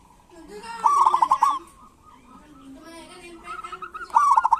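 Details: Local zebra dove singing kerot and bekur, a lure for doves that rarely sing. Two loud rippling trilled coos frame a quieter stretch of soft low notes.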